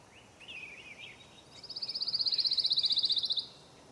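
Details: Pine Warbler singing from low scrub on a spring morning in Florida: a quick, even trill of high notes lasting about two seconds, preceded by a few softer, wavering chirps.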